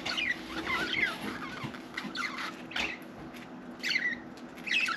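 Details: Pet budgerigar repeating short, squeaky warbled phrases and chirps in quick succession, separated by brief clicks, in a quiet indoor setting.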